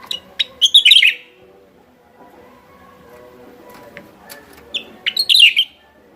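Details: West Java Javan myna lure sound: a quick run of ticking clicks leading into a dense, scratchy high chatter, then a pause and a second similar burst near the end.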